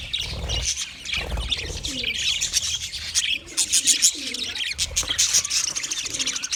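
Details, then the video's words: Several budgies chirp in a continuous bright, scratchy chatter of quick high notes and trills. Soft low cooing and a few dull thumps sound beneath the chatter. "sounds of budgies chirping"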